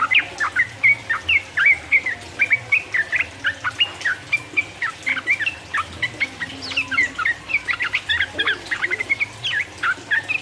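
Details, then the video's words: Yellow-vented bulbul delivering a long, busy song used as training or provoking material for rival birds; steady stream of snappy chirps and short slurs, bunching into dense bursts. "trucuk gacor ropel uplik uplik merangsang lawan"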